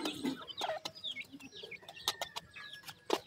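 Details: Young grey francolins, Sindhi teetar chicks from Pakistan, calling while hungry: sharp high peeps and quick downslurred cheeps, some loud near notes, mixed with several dry clicks and faint low murmuring in the background.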